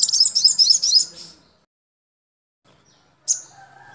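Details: Sogok ontong, the crimson sunbird, in a tutor recording made to teach captive birds: a fast, high, twittering warbled phrase of about a second and a half, then a pause and one sharp high chip with faint lower whistles behind.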